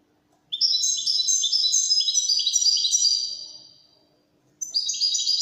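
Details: European goldfinch, Widani goldfinch, delivering a clean, rapid, liquid twitter of repeated bright notes that tails off, followed after silence by a new burst of song.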